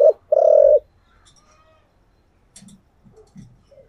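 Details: Decoy spotted dove in the 'giọng thổ' voice style gives a short note, then one loud, deep, rolling coo, followed by faint soft clucks and near silence.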